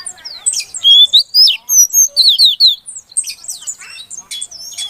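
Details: Female Oriental magpie-robin calling to stir a silent male into song; rapid varied whistled and chirping notes, sharp rising and falling slurs, a loud burst of clear whistles mid-phrase, then scratchier twittering.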